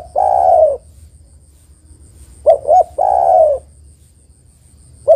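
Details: Female spotted dove calling to the male: a long, slightly descending husky coo, then a two-note stutter that runs into another drawn-out coo, with the next phrase beginning at the end; otherwise quiet.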